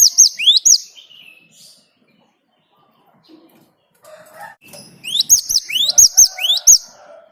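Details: Great tit song used as a lure for other birds: a few two-note phrases, a long quiet stretch with faint scattered chirps, then a renewed quick run of rising-and-high paired notes.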